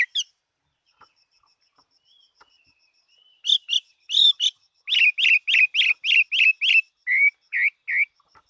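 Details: Chinese hwamei, kept as a fighting bird, in full song: after quiet opening notes come loud, rich, slurred whistles repeated about three per second, ending in lower, rounder phrases. A steady faint high ticking runs throughout.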